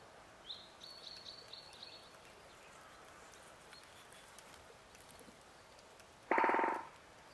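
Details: Great spotted woodpecker in the Vosges, Alsace: a brief rapid drum roll near the end, after a series of high repeated whistled notes from another bird over background noise.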